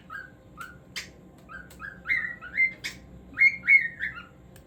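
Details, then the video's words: Singing cockatiel giving a string of clear whistled notes, some rising and some falling, with sharp clicks between phrases and louder warbling toward the end. "Cockatiel Singing Moments"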